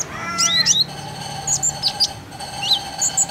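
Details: Common iora lure for encouraging birds to sing: clear whistled notes sweeping upward and downward, followed by short high chirps over a steady faint tone.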